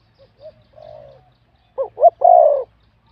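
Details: Wild-caught spotted dove singing in a competition, voice judged medium-to-large: soft low coos lead into one loud phrase of two short clipped notes and a drawn-out, slightly falling rolled coo.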